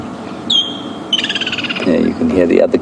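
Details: Woodland kingfisher on an afternoon safari drive at Djuma Game Reserve, 23 December 2015, gives a sharp high whistled note then a fast ringing trill under a second; a man talks over the end.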